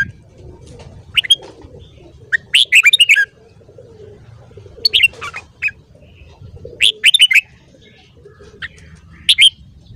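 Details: Red-whiskered bulbul morning song used as a training recording. Scattered chirpy phrases of several quick, twisting whistles, a few isolated short notes between them. Quiet background murmur throughout.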